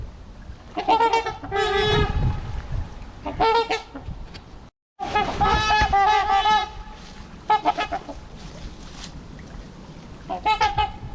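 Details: Several of 28 trumpeter swans on the Huron River, Ann Arbor, Michigan, on a winter afternoon (25 February 2021) give loud, nasal, horn-like honks in overlapping bursts, with a brief silent gap midway.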